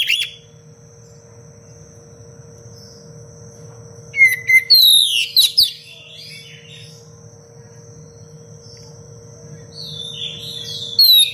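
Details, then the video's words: Oriental magpie-robin in full voice, a dense, sharp 'cengkok rapat pedas' style used as a master song for training other birds: a few seconds of quiet, then a burst of high whistled and chattering phrases, another brief flourish at the end, over a steady electrical hum. "Kacer gacor cengkok rapat pedas untuk masteran"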